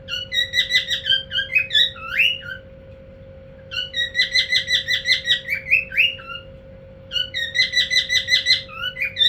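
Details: Cockatiel; call; male calling to a female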